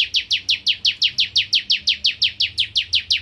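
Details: Bar-winged prinia singing keenly in the 'nembak ngentrok' manner: a rapid, very even string of about nineteen bright, downward-sweeping chips, delivered rapid-fire over three seconds.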